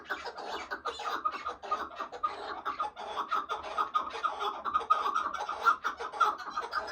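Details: Chukar partridge calling: a dense, continuous run of harsh, clucking chuck notes, overlapping and steadily repeated throughout without pause.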